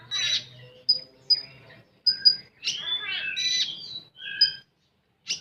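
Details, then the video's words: Konin, the common iora, in 'full tembakan' song: a brief scratchy note, a run of clipped high pips, then a harsh twittering burst and steady flat whistles. "Burung Konin Full Tembakan"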